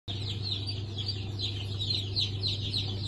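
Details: Newly hatched chicks of Sultan, Türken, Australorp and Sussex chicken breeds, hatch dated 23 March 2024, peeping in a dense chorus of high, short downward-sliding notes over a steady low mechanical hum.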